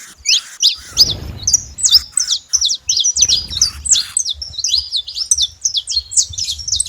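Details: Wild saffron finch in natural surroundings giving a rapid, chattering song of bright, high, clipped notes strung closely together, some slurred downward, with soft low background rumble.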